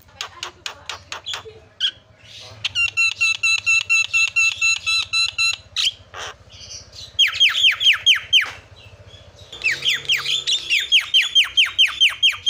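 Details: Javan myna calling to provoke other mynas: sharp clicks, then a fast, even series of metallic ticking notes, followed by repeated downslurred whistles about twice a second, over a low hum.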